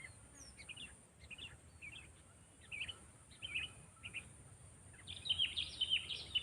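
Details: Sooty-headed bulbul trained for luring gives soft, short chirped phrases at a steady rate, then a louder burst of bright warbled notes near the end. A high steady hiss continues throughout.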